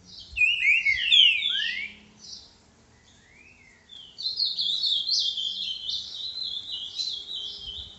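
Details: A green-winged saltator (trinca-ferro) gives a "boca mole" song at 10:40 on Tuesday 29 December: a loud phrase of slurred, falling whistles, a pause, then a longer run of quick, bright notes over a faint low hum.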